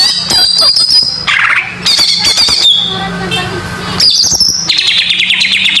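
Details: Greater green leafbird song used as a lure for young birds, recorded as natural sound: loud, high whistled phrases with sliding notes, interspersed with harsh chattering bursts and quick twittering runs.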